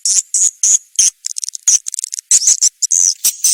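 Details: Swiftlet lure call (Kadita) used by swiftlet farmers to attract birds to nest houses: uneven bursts of high rasping chirps mixed with quick stuttering clicks.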